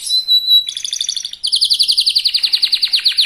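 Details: Young local canary giving a fast lure song to spark rivals into singing: a steady high whistle, a fine buzzy trill, then a loud, evenly pulsed trill of about twenty notes.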